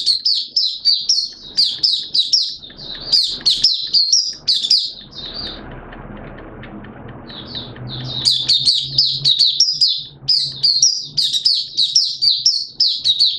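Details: Oriental white-eye from Malaysia, 'buka' opening song, 21 June 2023: long runs of thin, high, slurred chirps, broken by a quiet gap midway filled with low rumbling noise before the twittering resumes.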